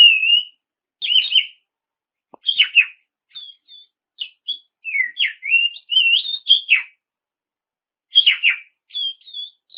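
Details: Oriental magpie-robin giving a clear lure song to make rivals sing: short whistled phrases, scratchy descending notes and thin high pips, spaced by gaps of a second or so, with one faint click.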